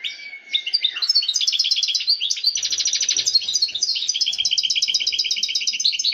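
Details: Male European goldfinch excitement song, a collective chorus used to stimulate females and end silence: after a short thin whistle and brief pause, rapid sparkling twitters and liquid trills pour out steadily.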